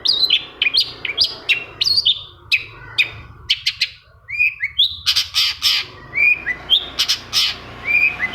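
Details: Lure song of a long-tailed shrike, played to spur a silent shrike into singing; a rapid mix of harsh chirps, short whistled upslurs and scratchy bursts.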